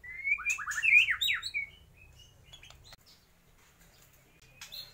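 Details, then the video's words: A short burst of jumbled, twisting whistled notes from a white-rumped shama copying lovebird, kapas tembak and pijantung gunung, followed by faint scattered clicks and near quiet. "MURAI BATU GACOR || TEMBAKAN Love bird,kapas tembak dan pijantung gunung"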